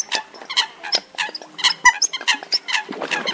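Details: Eurasian coot calls used as a lure for night net trapping of migrating birds at the start of the August 2024 season: short, nasal, harmonic notes in quick, irregular bursts, several overlapping.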